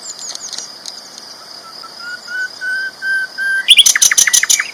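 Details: Sikatan londo flycatcher, a champion bird on a master-song recording, gives a series of soft, level whistled notes rising slightly in pitch, then a burst of sharp, loud rapid chirps.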